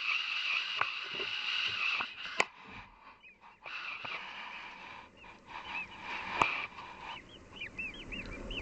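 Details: Hungry nestlings in a nest in a garden beg with a steady, high, hissing chatter, breaking into quick arched chirps near the end, over a few sharp knocks and rustles.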